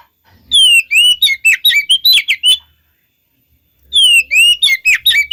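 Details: Oriental magpie-robin song intended to provoke other magpie-robins to respond, two short phrases of bright, high whistles and sharp chips opening with a falling slur, with a clear silent gap between them.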